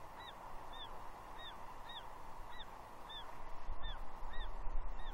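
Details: Juvenile female bald eagle at Two Harbors, Catalina Island, 30 June 2021, begging from her father for fish: a fast, even series of high, downslurred squeals about twice a second, with louder rustling noise building in the second half.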